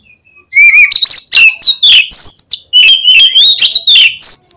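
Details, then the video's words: Oriental magpie-robin (kacer) sings a long, loud, unbroken song: clear whistles rising and dipping, mixed with fast buzzy trills and sharp high slurs, with a short pause midway. "SUARA KACER GACOR"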